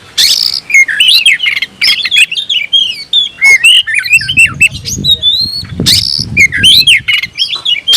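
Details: Oriental magpie-robin singing busily with tail spread, worked up and calling a rival to fight: loud varied whistles and slurred notes, rising and falling, in rapid bursts with short pauses, plus soft low rumbling thumps in the background.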